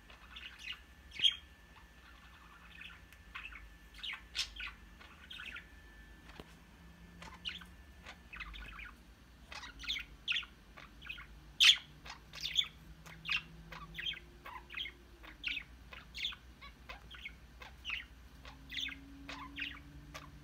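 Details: A group of pet budgerigars in their cage chatters in the morning in quick, scratchy chirps and warbles, overlapping one another; the owner says they seem scared of the phone set on the cage.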